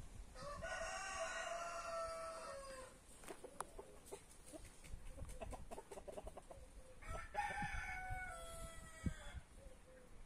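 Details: Two crows from free-range back-yard roosters of brahma, marans, naked neck and white star breeds, each about two seconds, harmonic and slightly falling, separated by clucking and clicking yard sounds.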